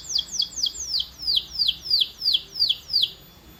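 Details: Canary training sound: evenly repeated loud downward-sweeping high chirps, roughly three per second, clear and unaccompanied.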